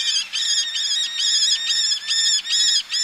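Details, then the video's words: Close male Eleonora's falcon with females on ledges by the sea: a fast, even series of nasal, rasping notes, about two per second, each note rich in harmonics and slightly downcurved. "Eleonora's Falcon. MCU Calls From A Male With Females Calling From Ledges. Sea In"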